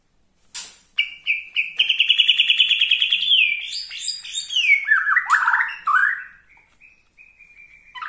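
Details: White-rumped shama of the Borneo type singing a song said to enrage rival shamas: sharp opening notes, then a long rapid buzzy trill, followed by sweeping whistled phrases and slurred downward notes, fading to soft chips.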